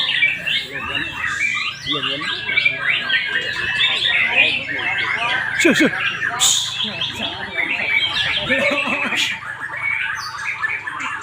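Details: Adult white-rumped shamas at a practice singing contest in Palembang, Indonesia, 8 August 2023: dense overlapping bright whistles, chattering trills and squawky notes crowd the upper range without pause, with human voices and crowd murmur underneath.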